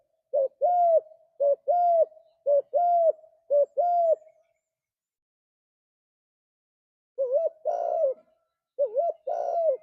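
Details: Spotted dove cooing in low, mellow paired notes, a short coo then a longer drawn-out one, about once a second in two runs, quiet background; a training recording played to pet doves to encourage singing.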